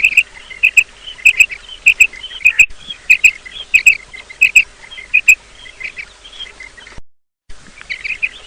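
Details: Repeated high chirping calls of a female quail, played as a morning lure for hunters. Paired sharp notes come in quick succession, then a short gap of silence before the calling resumes.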